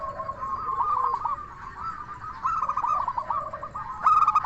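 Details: Local zebra dove, 'crystal voice' lure song meant to make other zebra doves reply: steady overlapping bubbly cooing from several doves, ending in one sudden loud, bright coo note.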